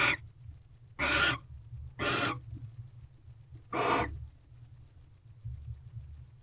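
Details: Barn owls in a nest box at 8:19 pm, 18 February 2023, during mating as a mouse arrives; three rough hissing screeches about a second apart, then a quieter stretch with faint low rustling.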